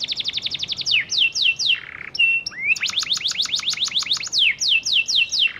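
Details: A Panda canary sings a fast, bright lure song meant to prompt silent canaries to answer: rapid trills of high chips, then repeated descending whistled sweeps, about four notes per second, with nothing else heard.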